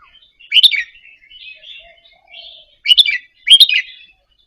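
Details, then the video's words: Indonesian red-whiskered bulbul in a cage, softly practising its doubled song. One bright chirped burst is followed by gentle warbling, then two quick loud phrases close together. "นกกรงหัวจุกอินโดหัดเบิ้ลปากเบาๆ เปิดกระตุ้นนกคึก นกร้องตาม"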